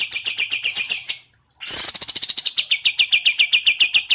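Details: White-eye, wambi mini, heard with kapas tembak: steady rapid chattering notes, a short break, then a loud burst leading into a regular series of sharp chips about six per second.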